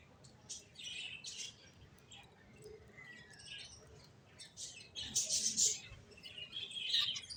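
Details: Several finches give scattered high chirps and short twittering phrases, irregular in rhythm, growing louder in the second half over a low hiss.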